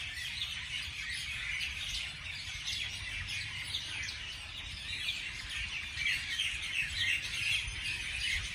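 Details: Many birds calling in the morning: quick, repeated high chirps and trills overlap without pause, swelling slightly toward the end, with steady low ambient noise.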